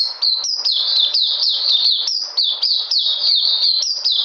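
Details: Lively white-eye (puteh) song dated 13 February 2020: loud, high, ringing notes that jump up then slide down, repeated rapidly about four times a second.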